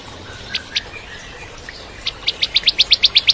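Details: Bar-winged prinia singing in the 'kristal' style as a tutor for a young White-rumped shama: two isolated high notes, then a steady rapid series of about ten bright, clipped chirps.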